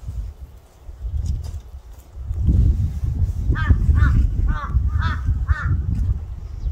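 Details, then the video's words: Crow calling outdoors: a run of five short harsh caws in quick succession, each with a slightly arched tone, over strong low rumbling background noise, likely wind. "까마귀울음소리 Crow crying ASMR"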